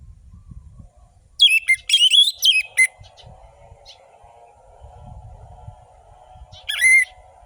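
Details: Orange-headed thrush singing a lively, fast-paced lure song for quiet birds: a rapid string of high, twisting whistled notes for about a second and a half, a long pause with low hum, then one more brief sharp phrase.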